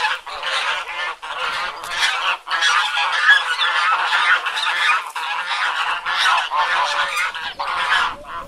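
Domestic geese honk loudly and almost without pause, a crowded chorus of harsh, nasal calls overlapping in a noisy, irregular clamour.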